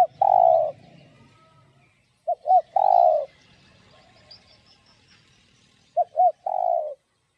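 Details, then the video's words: Spotted dove, 'giọng đồng' voice, giving 'gáy thúc gù' urging song to stimulate decoy doves. Three phrases arrive at roughly three-second intervals. Each has two short hooked notes before a long, slightly descending coo, in quiet surroundings. "Cu Gáy Giọng Đồng Chuẩn GÁY THÚC GÙ Kích Mồi Tập Bổi Ức Chế.Tiếng Cu Kích Trống"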